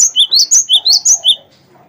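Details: Cinereous tit of the wingko kind in loud song used to coax other birds into singing: a quick run of about eight bright whistles swinging between high and lower pitch, then quiet.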